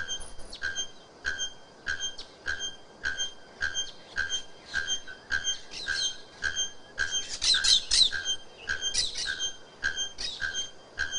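Bare-throated bellbird giving loud, ringing metallic clanks, repeated almost twice a second, with brief high chirps from other birds in the middle.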